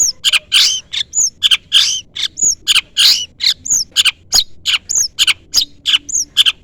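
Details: Long-tailed shrike calling at a rival. Loud, harsh, buzzy notes alternate with clear, high, downslurred whistles in a quick, restless back-and-forth pattern.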